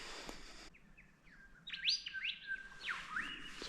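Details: White-plumed Honeyeater in eucalyptus woodland along a creek in a travelling stock reserve near Barraba, NSW, giving bright, whistled notes that rise then drop sharply, several in quick succession, with a burst of broadband rustle at the start.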